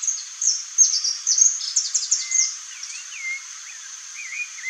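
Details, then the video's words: Saffron finch (Sicalis flaveola) song: a run of bright, high chips and trills, then slurred whistled notes that swoop up and down, over a steady high insect hiss. "CANÁRIO-DA-TERRA canto (SICALIS FLAVEOLA), SAFFRON FINCH"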